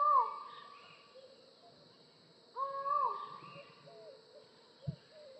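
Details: Collared forest falcon, a secretive tropical rainforest falcon: two loud, drawn-out, downslurred 'aow' calls about two and a half seconds apart, each fading away, with a steady high insect drone behind.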